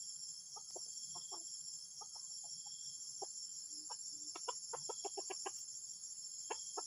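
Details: Strange, disruptive junglefowl call: scattered short clucks building into a fast, tight volley of sharp notes, then two last clucks, all under a ceaseless high insect drone.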